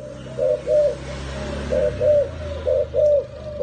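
A turtle dove gives low, purring coos in pairs, three pairs in under four seconds, with faint background hiss.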